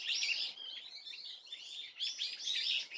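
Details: Swallow recorded on 30 April 2024, giving dense high twittering and warbling chatter in two bursts with a short gap between them, faint and somewhat distant.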